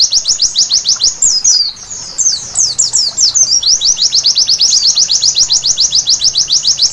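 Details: White-eye singing at night, used as therapy to make birds sing vigorously: a long, very high, fast run of sharp down-slurred twittering notes, tangled and varied at first, then settling into an even chattering series.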